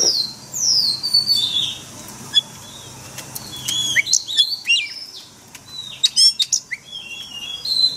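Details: Oriental magpie-robin in forest-style voice, used for daily training of caged birds: long descending whistles, then a pause and a burst of sharp varied chirps and trills. Low background hum.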